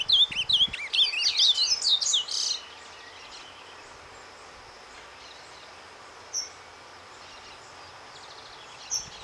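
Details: Ultramarine grosbeak giving a quick, high, twittering soft song (surdina) for about two and a half seconds, then near silence broken by two lone chirps.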